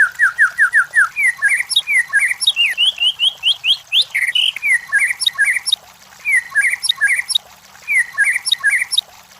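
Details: Lively song of a white-rumped shama used as a training and lure recording for competition birds: rapid runs of clear whistled notes, some rising and some falling, repeated in varied phrases with a few brief pauses.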